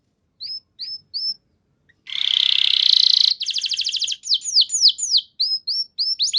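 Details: Canary song used to make other canaries respond: a few short separate whistles, a dense buzzy rattle about a second long, then a quick trill and falling swoops.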